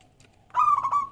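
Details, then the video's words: A local Zebra Dove singing vigorously, a song used to draw other doves into singing: a single brief phrase of fast, stuttering, mellow coos over a faint low hum. "Perkutut Lokal Gacor Suara Yang Pas Buat Pancingan"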